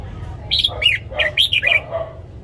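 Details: Red-whiskered bulbul morning song used for training newly caught and young white-cheeked birds: a quick string of five or six bright, warbled notes rising and falling, over a faint low hum.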